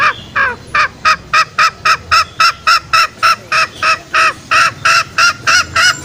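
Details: Lure call of the green junglefowl, used in the forest to draw out males for snaring. A steady, fast series of short, harmonic honking notes, about three per second, continuing throughout.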